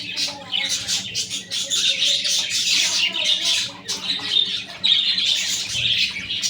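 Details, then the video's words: Budgerigars with chicks: continuous busy chatter of scratchy, squawking and warbled notes, overlapping and irregular, loud throughout. "বাচ্চা সহ বাজরিগার পাখি । budgie with babies"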